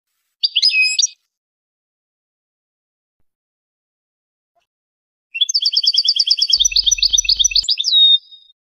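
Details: A Tunisian goldfinch sings a short chattering twitter, then after a long pause a sustained run of rapid repeated tinkling notes. The run ends in a drawn-out thin whistle.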